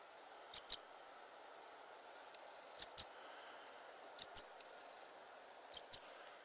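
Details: Young yellowhammer hidden in cover with a parent returning; four pairs of thin, high-pitched double notes spaced about one and a half seconds apart, steady and clear above low background noise.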